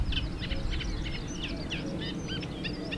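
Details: Eurasian reed warbler singing in Mechelen on 2 May 2024: a steady, chattering run of scratchy notes, each repeated two or three times, over a low rumble of wind or distant traffic.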